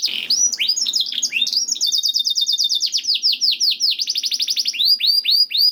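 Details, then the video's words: Song of a canary, played to prompt caged canaries to sing: a harsh opening burst, then varied tumbling trills of falling notes, a steady rolling passage and a fast rattling run. "MASTERAN KENARI YANG COCOK UNTUK KENARI ANDA ISIAN MEWAH JAMIN NYAUT GACOR #57 || VOICE OF CANARY"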